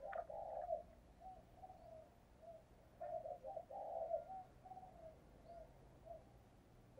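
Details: A soft series of low, hollow coos from a spotted dove used as a lure in the 'thúc gù' style to provoke wild doves, uneven in rhythm over steady background hiss.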